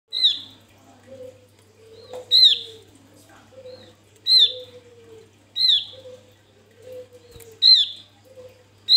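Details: Male Javan grey-throated white-eye singing vigorously, used as a lure for other birds: loud downslurred high notes every couple of seconds, with softer low sliding whistles between them and a steady faint hum.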